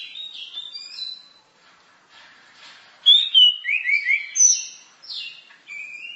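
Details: Orange-headed thrush in varied masteran-style song: loud, clear whistled phrases that slide and flick between notes, with a quieter warbled stretch before a burst of rich, fast whistles.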